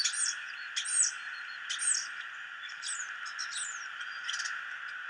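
A starling gives a jumble of squeaky chirps and slurred, high whistles in short bursts about once a second, over a steady background hiss.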